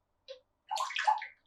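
An African grey parrot mimics pouring water: a short click, then a bubbly, gurgling burst lasting about half a second, uncannily like liquid splashing into a cup.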